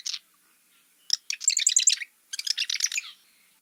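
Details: A Marsh Wren, a bird that tends to favour deeper wetlands, sings a brief introductory note and then a musical, liquid, gurgling rattle of rapid high notes, which it varies slightly between songs; it repeats the song after a short pause.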